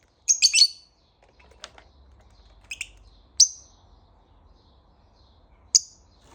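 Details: Shrill lovebird notes in the morning: a quick cluster of three squeaky chirps, then scattered single sharp peeps spread over several seconds, over a faint low rumble.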